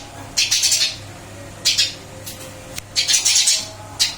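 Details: Newly recaged Eurasian tree sparrow chirping: scattered groups of harsh, slightly buzzy notes, singles and quick triplets, spaced by pauses of about a second, against a soft background hum.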